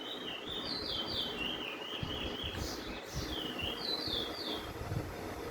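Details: Chestnut-bellied (Lesser) Seed Finch singing a Venezuelan song type: a rolling run of sweet, slurred whistles, breaking off midway and resuming, over a steady hiss and low rumble.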